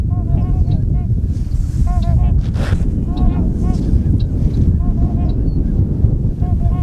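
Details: Sandhill crane taking flight at Tyre, New York, on April 19: loud, rolling, trumpeting rattles repeated throughout, rich in harmonics, over heavy wind rumble.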